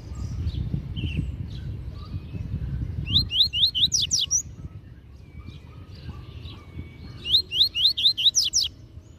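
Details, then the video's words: Master double-collared seedeater performing the Tui Tui Zel Zel song, a tutoring song: two bursts, each a fast string of sharp upslurred whistles ending in steeper buzzier notes, separated by quieter gaps with low rumbling noise. "Tui Tui Zel Zel Canto Top Para Encarte!!! Coleiro Mestre!!!"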